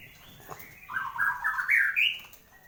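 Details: Caged white-rumped shama singing energetically after moulting: a short phrase of stepped whistled notes climbing in pitch, ending on a bright high slurred note.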